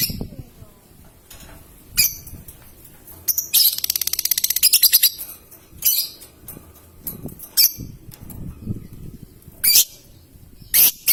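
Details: Paud lovebird, used as a lure for long ngetik and ngekek song: scattered sharp chirps, then a fast buzzy ticking trill of about twenty notes over a second and a half, then more isolated chirps.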